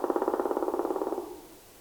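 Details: Black woodpecker (Dryocopus martius) in Latvia giving a fast, even roll of about twenty hollow beats per second that lasts just over a second and then stops, with a quiet background.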